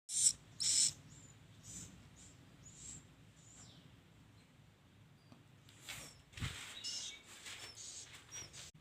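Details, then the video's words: Swiftlets inside a swiftlet house during the chick season: short high chirping bursts, two loud ones near the start, then fainter scattered twittering over a low steady hum. "Rumah Burung Walet | Musim Piyik"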